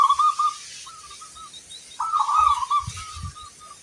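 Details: Actively singing local zebra dove with a large 'kung' voice: two warbled coo phrases, each starting strongly and trailing into short spaced notes, with soft low knocking in the background.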